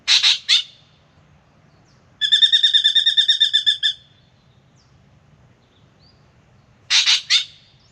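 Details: Spangled drongo singing at a backyard birdbath in Australia, where it comes to drink: two harsh, rasping double notes, then a fast metallic twanging trill lasting under two seconds, then another pair of rasps over a low hum.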